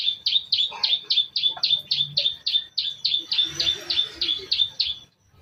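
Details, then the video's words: Long-tailed shrike lure song in the 'toet toet' style, used to provoke rival shrikes: a steady series of about eighteen sharp, high, downward-flicked whistled notes, roughly three per second, fading at the end. "KICAU Pancingan CENDET toet toet sambung isian Mewah"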